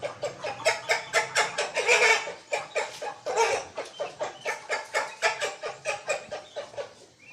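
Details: Chicken calling to hens: a steady run of harsh, rapid clucks, about three to four a second, the loudest near the second mark, then gradually fading toward the end.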